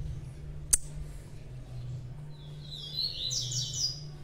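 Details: Young blue-black grassquit singing a short series of high, buzzy, thin notes late in the recording, after a single sharp click; steady low hum underneath.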